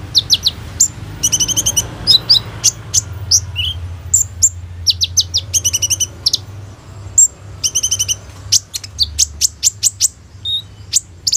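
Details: Phone recording of a singing kolibri ninja sunbird, played to train other birds: varied, restless song of high chips, rapid rattling trills and occasional lower whistled notes, with brief pauses between bursts.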